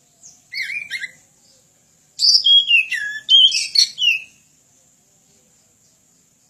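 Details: Training song of a kacer, or Oriental magpie-robin: a short chattery phrase, a gap, then a loud varied run of whistled slides and scratchy notes, ending in quiet.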